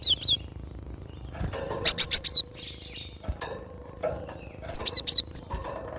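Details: Cinereous tit, recorded as a lure and tutor song for training birds: bursts of very high, thin, sharply down-slurred whistled notes, mostly in quick runs of three or four, separated by pauses, with knocks and thumps in between.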